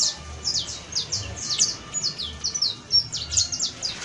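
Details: Saffron finch (Sicalis flaveola), a trained creole canary singer: a fast, busy run of high, sharp down-slurred chips and short whistles, several notes each second, over faint low background noise.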